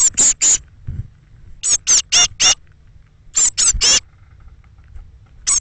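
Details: Young Eurasian blue tits, thirteen fledging from a nest box on the morning of 21 May 2017 between 06:00 and 08:00, give very high, thin, squeaky calls in quick bursts of three or four notes, with pauses, over a faint low rumble.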